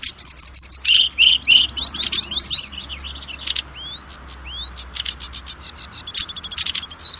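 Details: Kacer lure song for adult and speckled young Oriental magpie-robins: a dense opening of sharp chirps and whistles, a quieter middle with scattered upslurred notes over a faint low hum, then bright whistles again.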